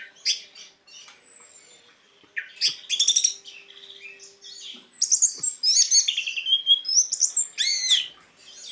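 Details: ['Orange-headed thrush teler song, a lure for stuck, silent thrushes; loud rapid mix of rattling notes, buzzy trills and thin high descending whistles, growing denser and more continuous toward the end, with a faint steady hum beneath.']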